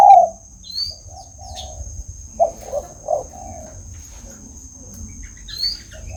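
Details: A tame spotted dove calling often, giving a phrase of soft low hooting coos: one opening note, then three rounded coos close together and a trailing softer one. Brief high chirps from other birds and a constant thin high tone sound behind.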